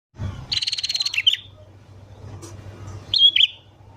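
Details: Sooty-headed bulbul singing in the morning, used as a lure for wild birds: a fast, buzzy chatter of rapidly repeated notes ending in a sharp whistle, then a short whistled phrase about two seconds later, over a steady low hum.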